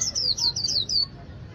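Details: White-eye from a northern Vietnamese artisan in líu song: a quick string of about six high, slurred whistles, each falling in pitch, tumbling together within a second.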